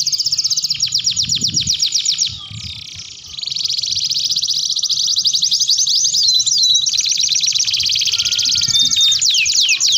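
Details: Lure song from a canary for training other canaries to sing long and lively: a dense high rattling trill, a brief softer pause, then a sustained bright rolling warble ending with a few clear whistled notes.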